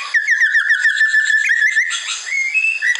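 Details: Masteran training song of a white-rumped shama (murai batu): a rapid rattling run of repeated whistled notes for almost two seconds, followed by a few clear, rising whistles.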